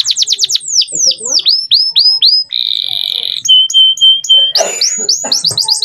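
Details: Male canary delivering a clear tutor song for young birds: quick repeated descending notes, slower drawn-out swooping whistles, a buzzy held rattle, a flat pure whistle, then rapid rising chatter.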